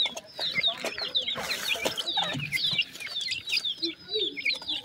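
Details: Many captive grey francolin chicks calling during feeding: constant overlapping high, sharp upslurred peeps, with tapping and a loud rustling burst early on.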